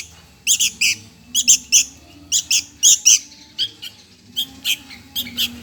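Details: Sooty-headed bulbul nestling begging for food, short raspy squawks in pairs and triplets, loud at first then softer toward the close.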